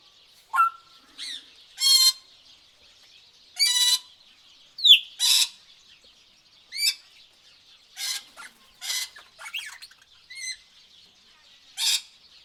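Several tropical birds call in turn: harsh rasping bursts, short sliding whistles and quick chirps, spaced irregularly, over a faint steady high hiss like insects.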